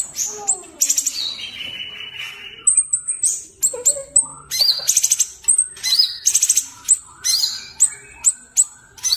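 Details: Sooty-headed bulbul singing energetically as a vocal tutor. Varied phrases of high piercing whistles, quick chirps and slurred notes come in dense irregular bursts, with brief lower warbles.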